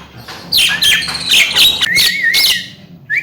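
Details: Javan myna, a talkative young bird said to be able to speak, gives bright chirps and squeaks, then a wavering whistled note, ending with a short rising chirp.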